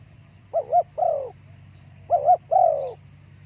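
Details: Spotted dove (terkukur) calling, used to lure forest birds; two phrases, each a quick double-peaked coo followed by a longer falling coo, repeated after a pause of about a second, with constant low background hum.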